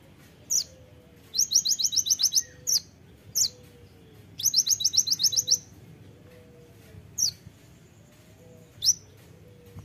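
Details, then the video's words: Konin, the kolibri ninja, in full sharp-voiced bursts: single high chirps interspersed with two rapid trains of about eight piercing notes each, separated by brief silences, over a quiet low background. "masteran kolibri ninja (konin) gacor full tembakan suara tajam"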